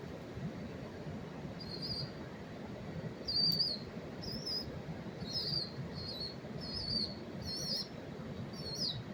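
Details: Rock pigeon chicks in New York City on September 5, 2023 give thin, high, squeaky peeps in short bursts every second or so, over a low rumble of city traffic.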